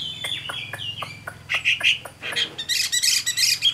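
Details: Caged Chinese hwamei, described as an adult wild-caught bird with a fine voice, gives short whistled notes that build into loud, rich, rapid phrases near the end, with faint background voices.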